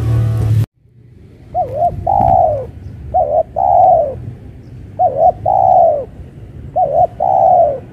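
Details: Caged spotted dove, set out on open ground on a pole cage, calling again days after losing a fight with another bird; its voice called crisp. Three repeated phrases, each a short wavering double note then a long falling coo, after a brief loud noise at the start.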